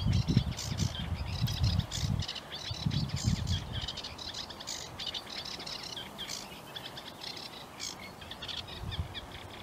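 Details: A sedge warbler's hurried, chattering song of dry churrs and sweet notes runs on over a low wind rumble; heard unseen alongside reed warblers at Broom Lakes near Biggleswade, Bedfordshire, 26 April 2021.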